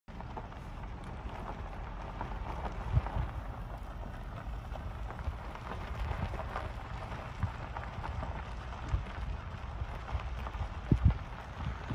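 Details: Steady low rumble with a few scattered knocks and thumps, and no animal calls.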